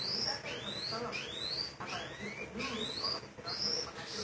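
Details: Canary singing in the style of a sunda whistling thrush from Majalengka: a series of sharp, high rising whistles repeated roughly every half second, with a noisy background.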